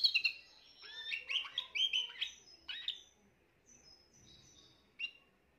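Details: A Spanish Timbrado canary, young of this year, recorded 14 June 2023: a burst of quick chirps and rolling notes that fades into sparse thin high whistles, then a final short chirp.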